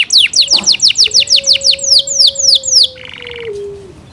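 A Yorkshire canary sings a rapid series of about a dozen high, downslurred whistled notes, then a brief buzzy trill; a faint steady tone hums underneath.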